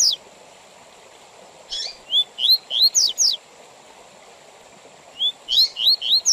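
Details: Tui Tui Zel Zel song style of a double-collared seedeater, used for tutoring young males and tournaments: an opening note, a long quiet gap, a phrase of rising whistles and high slurs, another pause, then a second phrase.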